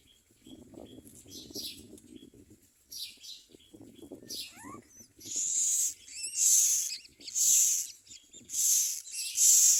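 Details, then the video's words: Common myna chicks screaming for food while being fed: quiet rustling and faint hisses at first, then five loud, harsh hissing shrieks in quick succession toward the end. "Common myna Baby Birds feed in their mouths and scream for food"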